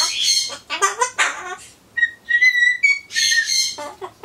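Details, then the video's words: A pet Ducorps's cockatoo chatters to itself while waiting for pumpkin, mixing harsh, raspy syllables with a few clear, steady whistled notes and short pauses between bursts; its talk includes replies, a Happy Birthday song attempt and "banzai". "ソロモンオウムたろちゃん カボチャを待ってる間のひとり言"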